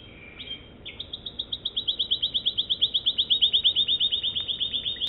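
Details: American Singer canary singing: a brief high warble, then a steady rapid trill of bright, evenly spaced notes repeated about three times per second, growing louder and continuing to the end.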